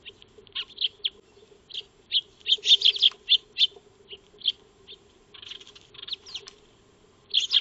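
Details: Eurasian tree sparrows (Maya birds) feeding in a backyard, recorded by a solar wildlife camera on 2 March 2025; a steady scatter of sharp, high chirps, with a few quick clustered runs.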